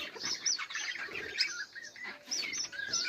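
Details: Several budgerigars chirp together, with short whistled notes and warbling trills in a busy, overlapping chatter, joined by soft wing flutters.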